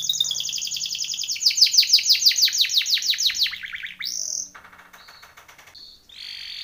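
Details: Timbrado canary training song: a long run of rapid descending chirps that slowly drop in pitch, then a rising whistle and softer rattling and buzzy phrases.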